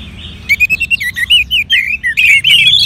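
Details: Orange-headed thrush from northern Bali, a kept songbird prompted with colony bird recordings, starts after a quiet moment and delivers a string of clear, bouncy slurred whistles, about eight notes a second, ending in a rushed flourish.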